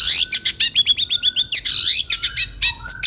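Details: Agitated long-tailed shrike song for baiting shrikes into calling: a fast, even series of about a dozen chattering notes, then a harsh rasp and a few sharp squeaks.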